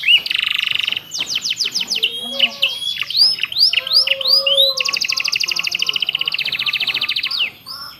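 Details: Canary master song with ciblek and prenjak inserts for training captive birds: a buzzy trill, rapid falling notes, varied sweeping slurs, then a long fast even trill fading out.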